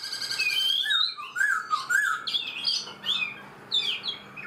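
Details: Black-throated laughingthrush in a cage for four months, singing varied warbled whistles that rise and fall, mixed with sharp high chirping notes in quick succession.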